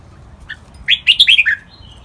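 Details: Red-whiskered bulbul training song in the Thai "lak wai" style: a single short introductory chirp, then a quick, clear phrase of five descending, liquid whistled notes, in a quiet setting.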